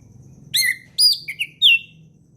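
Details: Short excerpt of relaxed forest ngeplong song by an orange-headed thrush, used as a tutor for young birds: three loud, clear whistles, the middle one followed by quick small chirps and the last one sliding downward.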